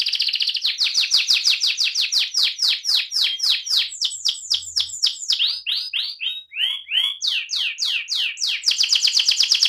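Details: Rolling canary song, AF type: long steady trill of downswept notes, then varied phrases of deep swooping whistles, returning to a quick bright trill.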